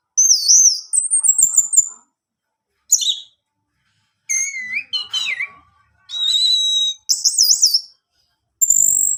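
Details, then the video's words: Kept orange-headed thrush song for stimulating males: separate high whistled phrases with wavering, looping pitch, some lower slurred whistles around the middle, each phrase split by short silences. "putar Anis merah ini, Anis jantanmu pasti bunyi"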